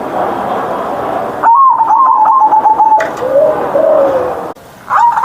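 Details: Caged zebra dove singing in the morning with a loud, deep 'ngerot' style, 'mbekur-mbekur' cooing: a fast, bubbly run of notes, then lower drawn-out coos, with abrupt cuts and a short gap near the end.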